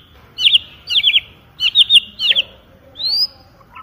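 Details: White-rumped shama song as a lure: high, quick twittering phrases in groups of three notes, repeated several times over a faint background hiss, ending with a rising whistle.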